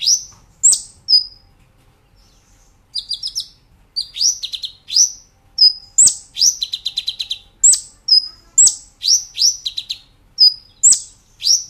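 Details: Caged brown-throated sunbird on a training master track, in the lively shooting-and-rolling style: dense runs of thin, piercing chirps sliding downward, broken by rapid rolling trills of repeated short notes, nearly continuous after a short opening gap.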